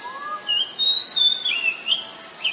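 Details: Oriental magpie-robin recorded in Ubon Ratchathani, Thailand, on 19 March 2022; a soft low whistle, then a lively series of high, clear whistled notes sliding up and down.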